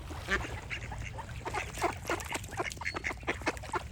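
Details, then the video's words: A flock of ducks gives rapid, raspy quacks, several birds calling over one another in quick bursts. "Relaxing Duck Quack Sound Effects"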